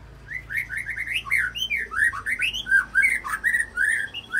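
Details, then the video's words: Shama song built from copied cililin notes joined to a long canary trill, used to goad other murai into singing; continuous, fast run of sweet, slurred whistles, each note bending up or down. "Bongkar Isian Murai Isian Cililin Sambung Kenari Ngerol Panjang"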